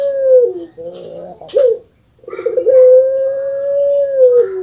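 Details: Caged puter pelung dove from Java, Indonesia. A low coo falls away, followed by a burbling, chuckling phrase, a brief silence, then a rough rolling onset that stretches into a long, even, sustained tone that drops at its close.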